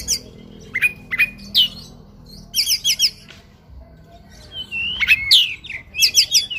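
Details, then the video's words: Oriental magpie-robin fighting song full of fill-in phrases: sharp downslurred whistles, quick stuttering chirp series and upswept notes arrive in loud bursts separated by short quiet gaps. "KACER TARUNG NGOBRA FULL ISIAN"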